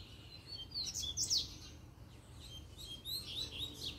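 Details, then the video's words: Double-collared seedeater puxada song, given as a challenge to rival males. Sharp, slurred high whistles cluster in the first second and a half, then softer repeated chirps follow over a faint low hum. "PUXADA DE COLEIRO 4"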